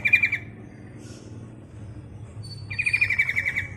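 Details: A female yellow-vented bulbul calls for the male with quick bubbly note runs, one at the start and a longer burst of about eight notes near the end, over a low hum.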